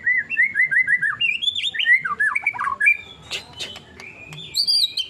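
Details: White-rumped shama singing: a string of five repeated downslurred whistles, then looping rising and falling whistled phrases, ending in scattered clicks and high sharp notes over light background noise.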